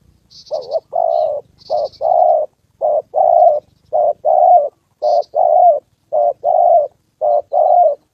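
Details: Decoy spotted dove cooing during a trapping session with a wild fighting male and a descending female: steady run of two-part hoarse coos, a brief note then a longer one, with scattered thin high twitters.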